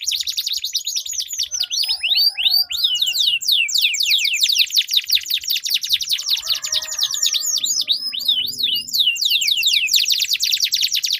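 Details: Duelling canaries pour out a long rolling song meant to prompt other canaries to sing; dense, fast series of high swept notes and chattering trills run almost without a break throughout.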